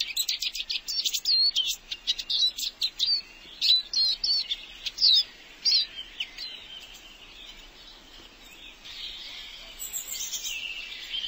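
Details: Caged Eurasian siskin gives a run of rapid high chirps and upward-flicked whistles for about six seconds, then a softer buzzy wheeze trails off against steady background hiss.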